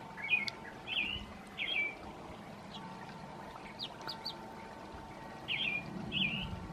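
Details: A female American robin sings her evening song: short, clear caroling phrases, rising and falling, roughly one per second with brief pauses, over a steady low hum and faint background rumble.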